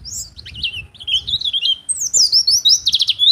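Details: Oriental white-eye, a caged songbird in full song, suited as a master tutor or lure for other birds: rapid high twittering warbles sliding up and down, ending in a burst of sharp buzzy trills.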